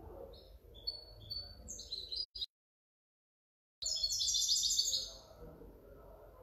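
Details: Goldfinch hybrid, 2019–2020, singing high twittering phrases of tinkling notes and trills, broken by a short silent gap before a louder burst of rapid chattering song; faint low room noise underneath.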